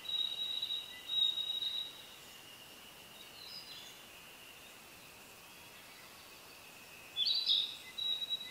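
Narcissus flycatcher giving two short, high whistled phrases about six seconds apart, over a steady insect-like drone.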